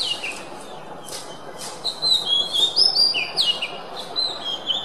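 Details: Kacer, the oriental magpie-robin, singing for songbird training: rapid chips and broken whistles, then long level whistled notes with sharp upward and downward slides, over steady low hiss.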